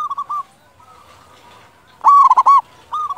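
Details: Short passage of local Zebra dove cooing for luring other doves: soft brief coos, a pause, then one loud bubbling burst of quick notes followed by quieter coos.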